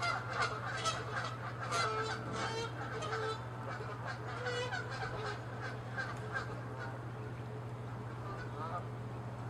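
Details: Angry Canada geese chasing and attacking each other, honking loudly; many overlapping harsh honks pour out in an uneven stream that is busiest at the start, over a constant low hum.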